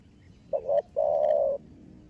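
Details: Young spotted dove cooing to spur other captive doves: a brief two-part coo followed after a short pause by one long, even, sustained coo.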